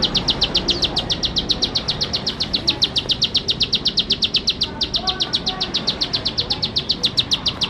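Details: Bar-winged prinia singing vigorously: a fast, steady train of sharp, high chip notes, about six per second, running almost unbroken through the whole stretch with one brief hitch midway; faint hiss behind.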